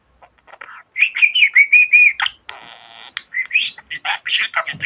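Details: Talkative pet budgie chattering: a run of bright whistled notes, then a harsh buzzy rasp, followed by quick scratchy chirps and twittering phrases.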